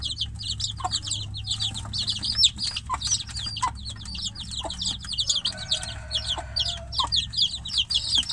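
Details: A chick shut in a cage, its mother hen outside, calls for her with a dense stream of shrill, downward-sliding peeps, continuous and overlapping, above low background rumble.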